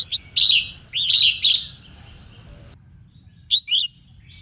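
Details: Female red-whiskered bulbul singing to stir up males: short bursts of bright, warbled whistled phrases with rising and falling notes, three quick phrases in the first two seconds, then a pause and a brief two-note phrase near the end.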